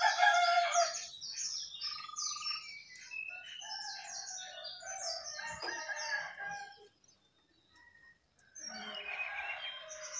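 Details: Jongkangan in full song atop its cage: a rich, varied run of rapid chirps and slurred whistles, a short silent gap, then another burst of busy warbling.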